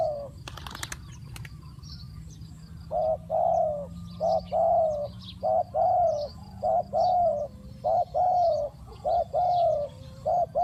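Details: Lure spotted dove calling wild doves: a few sharp clicking bursts at the start, then from three seconds a regular series of soft, low paired coos, with distant bird chirps.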